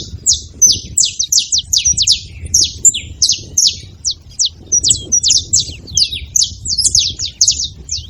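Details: Wild saffron finches gathered at a seed feeding spot, noisy: a dense, continuous chatter of many high, clipped chirps and short downslurred notes overlapping one another, with faint low rumble beneath.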